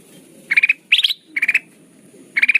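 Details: Sooty-headed bulbul lure call used for trapping birds: short bursts of three or four rapid bright chirps, some rising, repeated about every half second with pauses, over a faint low hum.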